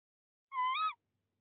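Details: Tawny owl at a breeding nest box in De Mortel, 22 February 2021, while the male delivers prey to the female. One half-second nasal call, level and then lifting at the end, in quiet surroundings.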